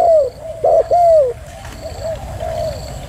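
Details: Female spotted dove cooing: a loud opening coo, then a short doubled note and a long coo sliding down in pitch, followed by softer, fainter coos from the same low voice.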